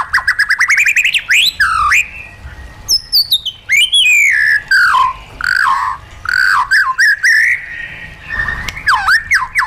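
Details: Trained caged white-rumped shama singing wild-style: opening rapid trill, then long varied whistled phrases sliding up and down, rich and loud, with brief pauses between bursts.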